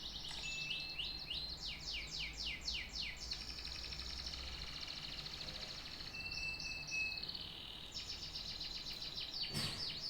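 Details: Canary song made of steep, rapidly repeated downward-sweeping notes and rattling trills, with a short steady whistle midway and a faint click near the end.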